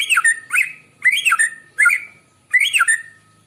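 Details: Morning song of a white-rumped shama, used as a lure for other birds: five rich whistled phrases mixing rising and falling slurs with harsh, buzzy upper notes, each phrase under half a second, separated by brief silences.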